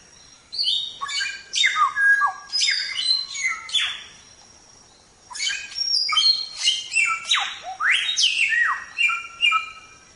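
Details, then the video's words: Samyong song meant as training for pet songbirds. Two long bursts of fast, jumbled whistles and steep falling sweeps, split by a silent pause of about a second and a half. "Suara Burung Samyong | Gacor"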